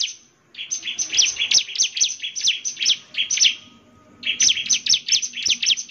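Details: Lively bar-winged prinia (ciblek) singing to draw answers from other prinias: two bursts of fast, piercing high chirps and zigzag notes separated by a short pause, with a faint steady hum underneath.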